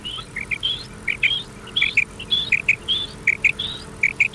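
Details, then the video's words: Common quail on an old cassette recording intended for night playback, giving quick repeated phrases of two or three short liquid notes, a lower pair followed by a higher slurred one, over faint background hiss. "Common Quail Sound | Batair ki awaz"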